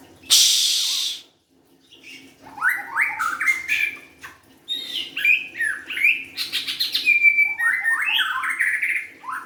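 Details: A loud burst of hiss opens, then a White-rumped shama sings a long, varied sequence. Rising slurred whistles are mixed with quick clicking rattles and one sustained, steady whistle.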